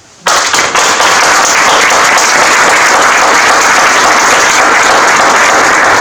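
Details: A sudden, loud, sustained burst of applause-like crackling fills the recording, and no animal is heard.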